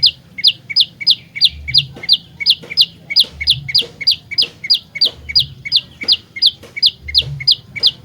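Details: Lure song of an olive-backed tailorbird in lively fighter style, an unbroken string of bright, upward-sweeping chirps roughly three each second, with faint low humming underneath.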